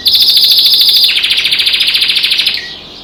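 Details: A pet canary singing with birds outside the window delivers a loud, very rapid, high pulsed trill that shifts to a slightly lower, slower rolling trill before stopping.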